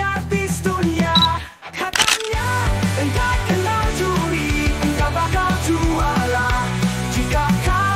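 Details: Loud distorted rock music with heavy drums and guitar fills the whole stretch, with a brief drop-out near the middle and no bird voice standing out.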